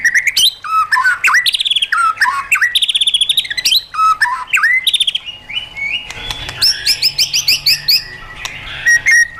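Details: White-rumped shama kept caged and trained toward wild-style song, delivering rapid trilled bursts and looping whistled phrases, sharp repeated notes, then a busier scratchy stretch of mixed chips and whistles.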